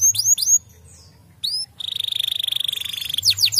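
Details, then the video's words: Canary singing right after hearing another canary's song: high downward-sweeping notes, then a fast even trill of about twenty-five pulses a second held near one pitch, ending in more sweeping notes. "o canário cantou imediatamente ao ouvir o som deste canário"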